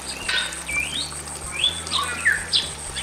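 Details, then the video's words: Bali mynas, male and female, in a simple aviary: softer, drawn-out whistles that glide up and down, with a few sharp squeaks and a faint steady hiss. "SUARA BURUNG JALAK BALI JANTAN DAN BETINA GACOR"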